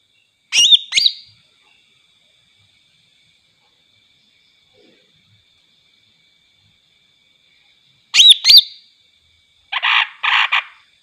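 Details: Greater green leafbird singing to provoke other leafbirds: two bursts of sharp, high whistled and chirping notes about seven seconds apart, followed by a short buzzy rasping pair, with long silences between.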